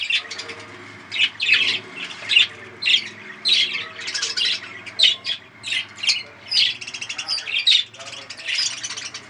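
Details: Breeding budgerigars giving a run of separate sharp, squawky high chirps about every half second to second, with faint low hum beneath.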